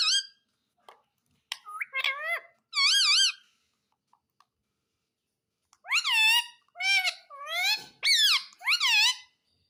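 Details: Indoor talking parrot that says "Mummy papa" and asks for roti: bursts of nasal, speech-like syllables, a held tone near the three-second mark, a pause, then five rapid wavering syllables in quick succession.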